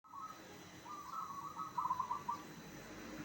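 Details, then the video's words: Zebra dove song meant to make other zebra doves answer: a low trilled cooing phrase of rapid beaded notes, rising slightly then fading, after a brief opening coo, over a faint low hum. "perkutut apa saja pasti nyaut dengar suara ini"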